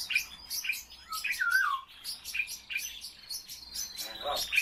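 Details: A captive common starling, kept warm indoors, sings a busy medley of sharp clicks, a slurred falling whistle and buzzy rattles, with short high ticks recurring about every half second.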